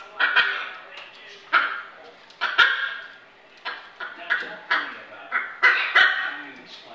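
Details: Hyacinth macaw (Anodorhynchus hyacinthinus) playing with others on a kitchen play area gives harsh, nasal, bark-like squawks, about ten in seven seconds, in uneven bursts with brief quiet gaps between.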